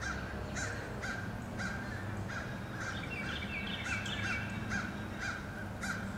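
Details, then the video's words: Crows attacking eagles again and again, 26 April 2015. Harsh, short caws repeat about every half second over a steady low rumble of background noise, with a few higher chattering notes in the middle. "Crows attack again and again"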